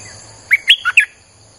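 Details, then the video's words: Streak-eared bulbul lure song for attracting wild birds: a single quick phrase of four chirpy notes, the second highest, ending on a bright upslurred note, over a faint high whine. "เสียงนกดอกแตงEp.159จ้าวขุนศึก สับดอกแบบไม่พัก!!ใช้เปิดล่อนกป่า Suara pikat merbah lekir"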